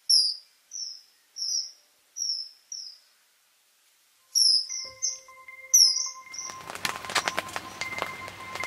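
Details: A common kingfisher at Biržų laukas, Šilalė district, Lithuania, gives shrill, high, piercing whistles, single and paired, about one each half second; a steady hum and broadband noise come in near the end.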